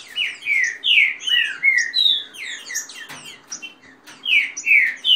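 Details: Rain-song style fast singing with female calls by kept Green-winged saltators in dispute: continuous slurred whistles falling in pitch, a sharp click near three seconds, then more strong phrases.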